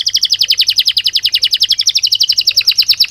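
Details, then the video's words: Belgian canary singing naturally: a fast, even, rolling trill of bright high notes, about ten per second, held throughout with a slight downward shift midway. "Canario Belga Cantando Naturalmente"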